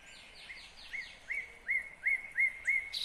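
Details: Nightingale singing in Kyrgyzstan, 2020: a few fast descending notes, then six loud hooked whistles repeated steadily about three per second, getting louder.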